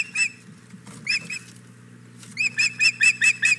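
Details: Female osprey at the Hog Island Boathouse nest on 4 May 2017, wanting the male's fish. Scattered single whistled chirps give way to a quick burst of six clear, high, slightly rising chirps at the end, over a low constant hum.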